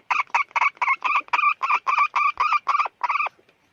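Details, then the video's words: A hen calls in a steady run of about thirteen short, clipped syllables, nearly four per second. Each is a brief harmonic note of the same pitch, ending in silence with no other sounds. "suab poj qaib qug"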